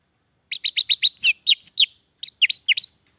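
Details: Orange-headed thrush song used as a lure to stimulate captive birds that are reluctant to sing; a rapid series of short whistled notes around a steady pitch, then slurred descending phrases, a pause, and another burst of notes.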